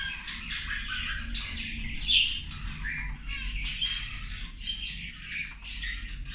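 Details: Zebra finches calling while they eat: clipped nasal beeps and buzzy notes come in quick uneven bursts, with a few thin whistled notes among them.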